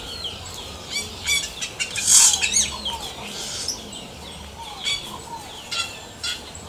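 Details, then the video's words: Xexéu (yellow-rumped cacique) song in natural surroundings: an irregular stream of sharp chirps, clicks and downward-slurred whistles, with one loud harsh burst near the middle. "CANTO DO XEXÉU"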